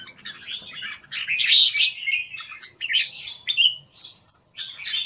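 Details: Red-whiskered bulbul in an open-tail keke square cage, kept Singapore style as a personal bird, delivering fast, jumbled chirping phrases with whistled high accents, about four bursts a second, separated by brief gaps.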